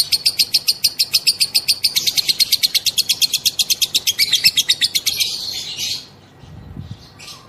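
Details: Female lovebird giving a long ngekek trill used as a lure to set other lovebirds singing: a fast, even string of high, sharp pulses for about six seconds, then fading into quiet.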